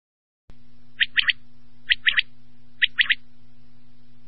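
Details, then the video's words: Quail (batair) calling: three quick bright notes, the first set slightly apart from the other two, repeated about once a second over a steady low electronic hum. "batair ki mast awaz"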